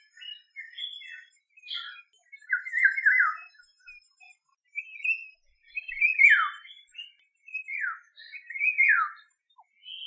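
An African Golden Oriole gives liquid, fluty whistled phrases that slur downward, about every two to three seconds, with short chattering notes in between.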